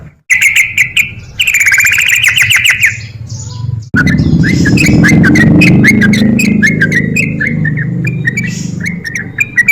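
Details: Highly agitated sooty-headed bulbul singing in ropel style to provoke lazy birds: loud sustained whistled phrases, then a dense, fast stream of short slurred notes over a low background hum.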